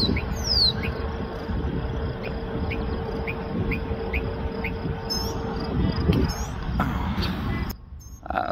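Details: A Northern Mockingbird perched overhead, singing non-stop through some 35 different calls in two minutes, mimics a cricket with a steady series of short, dry chirps, about two or three a second; sharp high calls follow over a low rumble and steady hum.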